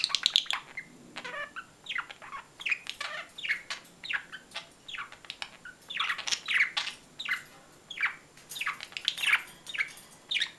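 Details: Budgerigars chattering steadily, a busy stream of short chirps, downward-slurred notes and scratchy squawks repeating throughout, possibly several birds.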